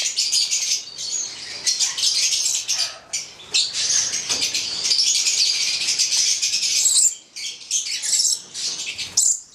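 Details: Pair of Stella's lorikeets (Charmosyna papou goliathina), a red male and a black female, giving a near-continuous run of shrill, harsh, hissing high-pitched screeches with brief gaps and possible wing flutters.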